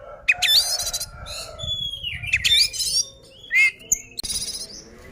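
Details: Oriental magpie-robin fighting song intended to anger rival birds; sharp rising whistles, scratchy buzzy bursts and a long sliding whistle, uneven phrases with a click near the end.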